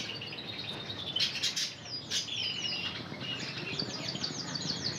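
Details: Intense red canary trained in Spanish Timbrado song: a few broad rustles or wingbeats, then high slurred notes and a quick rising trill series, with background hiss.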